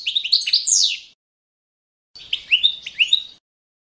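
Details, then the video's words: Balkan goldfinch, Carduelis carduelis balcanica, giving standard competition song for training: two short bursts of liquid twittering and rising chirps separated by a second of silence. "goldfinch song - World Championship"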